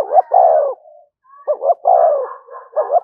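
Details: Spotted dove giving its "thúc gù" coo, used to draw in wild birds: a long falling coo, a brief pause, then a double stuttered note and another full descending coo.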